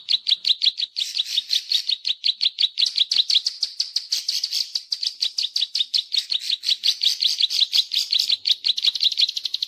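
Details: Bar-winged prinia lure call of the "klik klik" type, used to attract birds: a dense, steady stream of sharp, high clicking notes, several per second, continuing without pause throughout.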